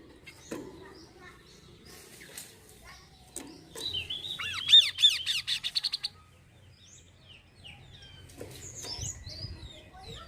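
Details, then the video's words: Kaso-kaso bird singing, an Indonesian lure to start birds singing. After clicks and rustling, a whistled note opens a burst of arched notes and a rapid run of short chips, followed by scattered faint chirps and handling noise. "PANCINGAN YANG BAGUS UNTUK BURUNG KASOKASO AGAR CEPAT BUKA SUARA"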